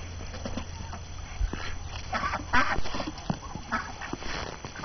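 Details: Hungry ducks let out of their coop on a snowy January 6 morning talk among themselves with brief scattered quacks, a louder cluster near the middle, over a constant low droning hum.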